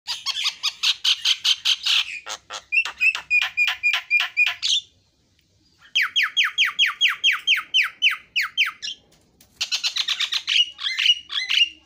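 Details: Javan myna singing: long series of harsh rasping notes and rapid repeated chattering strokes in bursts, then a run of evenly spaced rising clipped notes after a short pause, ending with squeaky mixed phrases.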